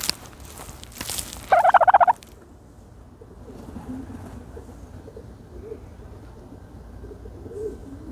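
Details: While dust bathing, a turkey gives one short, loud, rattling gobble early on, then faint, low, soft notes follow through the rest of the recording.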